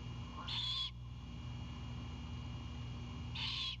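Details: Great horned owlet greeting its mother, who is bringing an Anhinga back to the Savannah nest at 22:21 on 7 April 2022. Two short, raspy, wheezing bursts about three seconds apart over a constant electrical hum.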